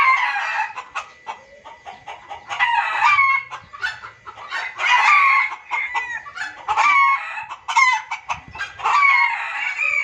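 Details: Junglefowl lure calls, possibly a hen calling a male, give busy clucking and cackling calls in bursts every few seconds, with sharp rising notes layered over steady chatter.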